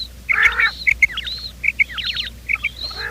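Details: Quail calling in the morning, a recording used to lure quail for trapping: short bright chirped notes in quick pairs and triplets, some with fast wavering trills, several birds overlapping, plus lower nasal harmonic calls from other birds.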